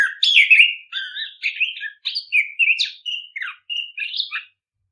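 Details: Orange-headed thrush song used as a lure to stimulate other birds to sing: a run of rich whistled phrases, each under half a second, rising and falling in varied pitch with short pauses between them. No other sounds are heard.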